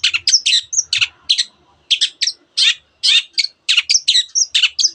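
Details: Long-tailed shrike pouring out a fast canary-like twittering song full of borrowed phrases from other birds: rapid bursts of scratchy chirps and short whistles, with one brief pause partway through.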